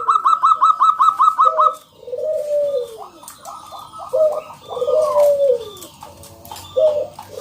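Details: Local zebra dove singing loudly to lure other doves into song: a rapid, evenly beaten series of bright coo notes, then drawn-out lower coos that slide downward, alternating with short stuttering phrases.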